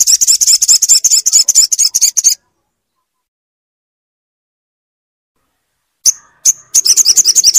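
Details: Crimson sunbird song used to stimulate a silent bird: fast, high, buzzy trill of rapid repeated notes for over two seconds, a long silence, two sharp tsips, then the trill resumes.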